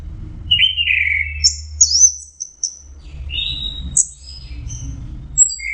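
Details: Song of an orange-headed thrush (Geokichla citrina): a mid-pitched swooping whistle, then high clipped notes and scattered thin whistles, over a low rumbling background.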